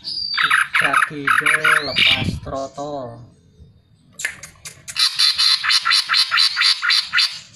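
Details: Greater green leafbird singing as a lure to prompt other birds: bursts of harsh chattering notes, lower voice-like harmonic sounds, a pause, then a long fast series of repeated buzzy high notes.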